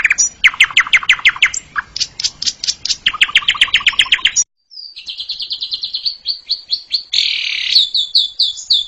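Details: Asian pied starling singing in a loud, chattering style: rapid bursts of clicking, ticking notes, then a pause and a run of bright repeated whistles ending in a harsh rasp and more chatter.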